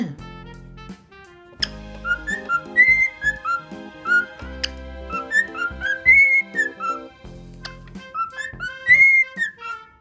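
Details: Pet male pearl cockatiel singing contentedly on a fluffy blanket at New Year, a song he rarely sings, after being praised: clear whistled notes, some sliding up or down, in short melodic phrases over steady background instrumental music.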